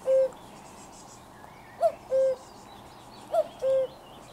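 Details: Cuckoo calling up close on 4 June 2023: a lower held note, then two full 'cu-koo' phrases about 1.5 seconds apart, bright short first syllable above a longer second, with faint birdsong behind.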